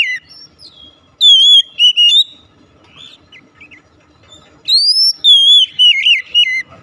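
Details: Oriental magpie-robin song to prompt a silent bird: loud clear whistles with short sharp chips, soft twittering between, then a rising whistle into a run of wavering notes.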